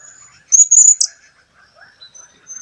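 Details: ['Blue-crowned hanging parrot recorded in 2015. A short burst of shrill, very high squeaky notes lasts about half a second and ends in a buzzy flourish. Faint low twittering from other birds continues in the background.']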